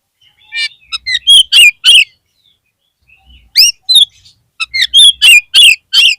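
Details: Oriental magpie-robin song used to stir a dispirited kept bird: three bursts of loud, sharp, varied chirps and whistles separated by short silences, notes coming roughly three per second.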